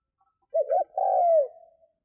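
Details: Spotted dove used as a lure to attract wild doves, giving one low cooing phrase: two short throaty notes followed by a longer drawn-out coo that slides downward.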